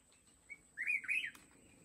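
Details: Red-whiskered bulbul serving as a trap decoy for mountain bulbuls: a thin short note, then a single rich warbled phrase of rising and falling slurs lasting about half a second, ending with a click, over low rumbling background.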